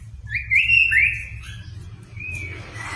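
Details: White-rumped shama whistling, meant to provoke a reluctant shama into song; a couple of clear rising and falling whistles, then a short steady whistle fading into soft hiss and a low hum.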